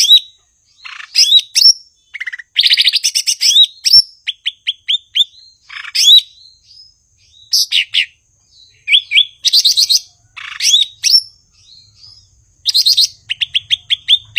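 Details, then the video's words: Extended, richly varied song of a blue-winged leafbird (cucak ijo): dense rattles, slurred whistles and quick runs of repeated sharp notes, delivered almost without pause. "Burung gachor Cucak ijo/Ranting"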